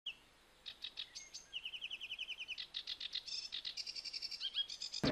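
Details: Domestic canary, with a male and female pair together and chicks being fed in the nest. A quiet run of varied notes: bright repeated trills, short buzzy phrases and sliding whistles, ending with a sudden loud click.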